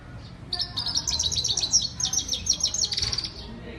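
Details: Female European goldfinch, known as Saira, singing a steady run of fast, high, tinkling twitters and liquid chirps, closely packed and continuing for over two seconds against a faint low background hum.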